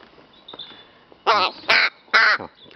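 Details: Three loud, harsh, nasal caws about half a second apart from a rook playing with a feather and a flower, after a quiet start.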